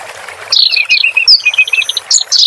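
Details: A clamorous reed warbler, used to train caged birds, delivers a varied phrase of lower throaty warbles, bright piping notes and a sharp high squeak, with a harsh chatter at the end.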